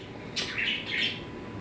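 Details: A male pet sun conure, a loud species, gives two harsh, rasping calls in quick succession in the background of a quiet room.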